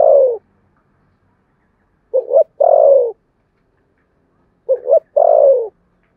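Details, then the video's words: Spotted dove contest cooing with urging delivery in the Sấm Thổ voice: a trailing coo, then two full phrases of two quick notes and a long, drooping coo, spaced about two and a half seconds apart. No other sounds. "chim cu gáy gù đấu và thúc bài bản giọng Sấm Thổ"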